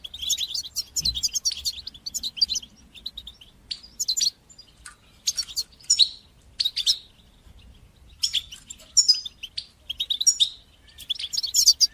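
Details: European goldfinch song in the batbata and sastasa manner, used to teach young goldfinches: long stretches of fast tinkling twitters broken by brief silences, ending in busy chattering runs.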